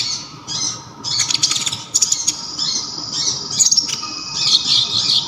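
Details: Sunbird of local stock, called kolibri ninja, whose voice is loud, sharp and clear: high, scratchy chattering phrases broken by short sharp ticks, in shifting bursts of twittering.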